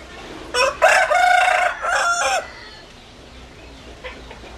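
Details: Chicken crow from a rooster: a loud, raspy cock-a-doodle-doo in three or four segments ending in a dropping note, followed by quieter background noise and a faint far-off crow.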